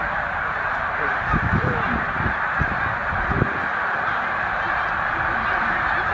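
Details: Around 100,000 snow geese stopping at Middle Creek wildlife refuge during spring migration north, a continuous roar of honking with a burst of louder, closer calls in the middle.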